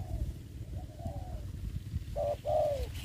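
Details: Spotted dove kept as a ground decoy in a trap in Đồng Nai during the covid season. A faint, distant coo phrase comes first, then one clear low phrase: a short note followed by a drawn-out, falling coo. Steady low rumble throughout.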